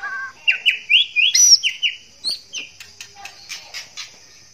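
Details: A male white-rumped shama in breeding condition sings to a female. Short, bright whistled notes rise in quick steps, then give way to sharp clicks and ticks, with a steady high hum behind.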